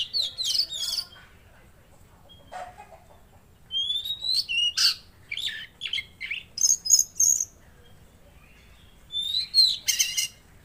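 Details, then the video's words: Tledekan Laut (Mangrove Blue Flycatcher) in full song, recorded as tutor material: short clusters of high, sweeping whistles and sharp chirps come in repeated bursts separated by brief pauses, with varied rising and falling notes. "Masteran Burung Tledekan Laut Gacor"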